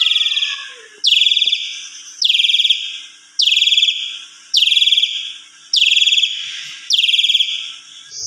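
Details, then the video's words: Asian pied starling repeating a loud, slightly buzzy whistle that drops then holds steady, given about every 1.1 seconds, seven times in a row, from a lilting song meant to draw out silent starlings. "Suara Jalak Suren BERDAYU DAYU Seketika Langsung Respon Jalak Suren Macet Berkicau"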